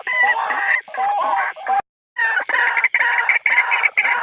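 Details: White-breasted waterhen giving territorial harsh croaking phrases about every half second with one brief break; no other sounds.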